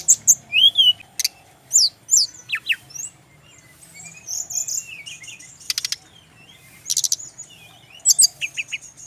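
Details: Male brown-chested jungle flycatcher song used for training birds: scattered sharp upslurred chirps and short whistles, interrupted by dry buzzy rattles, with a quieter stretch midway.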